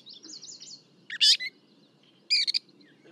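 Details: Gray Catbird recorded from 40 feet away with a parabolic microphone gives a jumbled run of high, squeaky and scratchy notes: a warbled phrase, then harsh burst chirps with short gaps between them.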